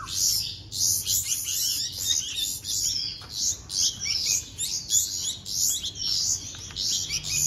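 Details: Baby bulbuls being fed by hand, a dense run of scratchy high-pitched begging chirps in irregular quick bursts throughout.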